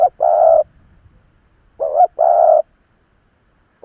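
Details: Old decoy spotted dove provoking rivals. A long, mellow coo, then a quivering lead note and another sustained hollow coo about 1.7 seconds later, in near silence.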